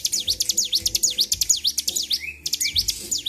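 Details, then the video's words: Excited Bar-winged prinia recorded 26 February 2023: a brisk, continuous run of shrill, high V-shaped chirps, roughly two per second, plus a couple of short rising whistles. "CIBLEK GACOR || PANCING EMOSI BURUNG CIBLEK"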